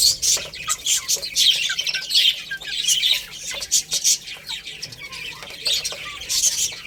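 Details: Young chicks at a meal of rice, calling in rapid, piercing chirps that come in pulsing bursts, with some brief squeaky notes and pecking taps among them.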